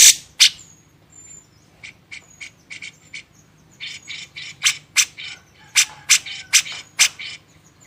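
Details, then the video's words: Grey-cheeked bulbul (cucak jenggot) on a tutoring recording for cage birds gives harsh, buzzy chattering notes in quick bursts, a dozen or so over eight seconds, with a few thin whistled slurs between them. "masteran burung cucak jenggot"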